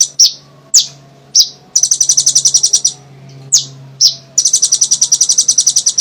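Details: Olive-backed sunbird, known locally as kolibri ninja, in full lively song for luring others: several separate sharp high chips followed by rapid buzzy trilled bursts of repeated notes, with a steady low hum underneath.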